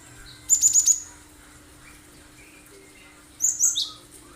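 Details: Cinereous tit (gelatik batu) in sharp 'tembakan' song, used to prompt other birds to sing and imitate; a rapid four-note shrill trill, a pause of about two and a half seconds, then a second quick burst.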